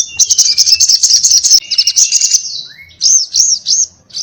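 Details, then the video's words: Crimson sunbird in fiery chatter: a fast, high, buzzy ticking trill, then a thin rising whistle and three clear arched high notes. "sogon gacor ngobra TARUNG NGALAS TAJAM"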